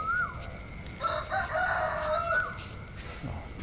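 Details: Rooster crowing during a cool morning walk: a long drawn-out crow with a strained, wavering middle, somewhat distant, over steady outdoor background noise.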